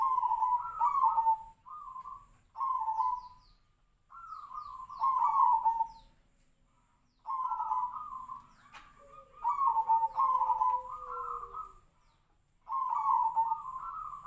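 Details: Tejoanom-style zebra dove song, described as monotone half beats closed with up to three beats: repeated bubbling, rolling cooing phrases of one to two seconds separated by pauses, with a fainter, lower, falling whistle between them.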